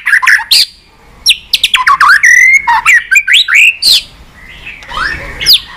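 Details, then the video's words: Many-voiced White-rumped shama song for stimulating and training shamas: fast mix of clicks, swooping whistles and a buzzy trill, a pause, then rising fluty notes. "Chòe Lửa Hót Nhiều Giọng, Luyện Chòe Lửa Hót Căng"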